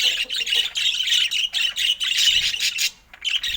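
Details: Budgerigar at play with its owner, uttering a quick series of harsh chirped squawks in bursts, pausing briefly before a final chirp.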